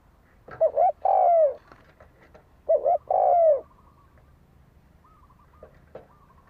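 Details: Spotted dove giving two fighting-style coos used to provoke a decoy bird, each a quick double note then a long falling coo, followed by faint whistled notes and a few soft clicks.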